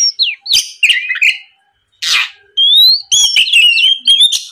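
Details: Rival-provoking song of an Oriental magpie-robin: falling slurred whistles and chattering notes, a rough noisy burst after a pause, then long clear whistles ending in quick flicked notes.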